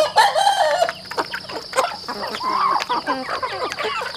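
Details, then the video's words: Chickens on a rural home farm, giving a drawn-out, mid-pitched cluck at the start, followed by quieter broken clucks and rustling farmyard sounds. "lovely nature chicken in my farm"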